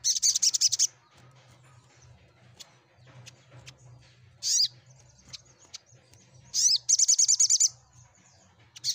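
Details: Crimson sunbird song played to get silent birds to reply and sing. It opens with a dense, high, rapid trill, then a single sharp note. A second buzzy trill follows, then a final chirp, over a faint low hum.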